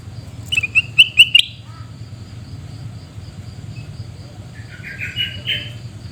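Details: Sooty-headed bulbul (kutilang emas) shrieking calls recorded at Reului, Mutiara, Pidie, Aceh: four loud, harsh buzzy bursts in quick succession, then a fainter, scratchy chattering phrase near the end over a low steady hum.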